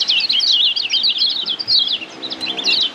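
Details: Kecial kuning, the yellow white-eye of Lombok, in a Padangan tutor song meant to teach caged birds: dense, very high chattering twitter of quick whistled slurs delivered almost nonstop, with brief breaks near the end.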